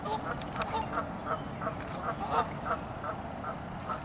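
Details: Several geese give a fast, steady run of nasal honks, about three per second and overlapping at times, throughout the short recording over a low background hum.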